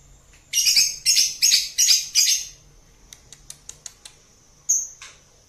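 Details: Lovebird ngekek song for lure training: five quick harsh, high screechy bursts in a row, then rapid dry clicks and one last short shrill note.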